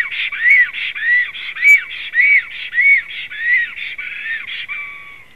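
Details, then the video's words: Black storks, a male and a female, whistling on 18 April 2016 at 19:35: a rapid run of clear, arched whistled notes, about two each second, overlapping and alternating in pitch, fading at the end. "melnais starkis Male and Female whistles"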